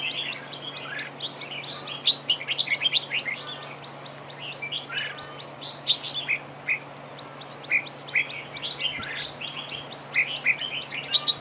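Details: Red-whiskered bulbul decoy singing in a trap duel to spur other birds: dense continuous chattering of bright chirps and warbled phrases with brief lulls, plus a few thin high whistles, over a steady low hum.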